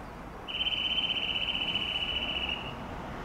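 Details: Eurasian nuthatch delivering one steady, rapid trill of closely spaced notes for about two seconds over a quiet background.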